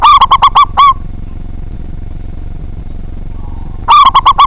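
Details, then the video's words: Loud-voiced local zebra dove in frequent song, meant to provoke rivals: a rapid string of six bright, clipped coos ending on a drawn-out note, silence, then another quick coo series begins over a faint steady drone. "Perkutut Lokal Gacor Suara Besar, Jago Memancing Lawan"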